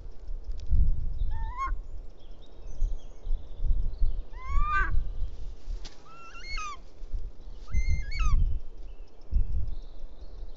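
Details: Bonelli's eagle chick at its nest in Els Ports Natural Park, Catalonia, begging its mother for help after the father delivers a toad; loud squealing calls rising and bending with harmonics, given in four bursts, over low rumbling noise.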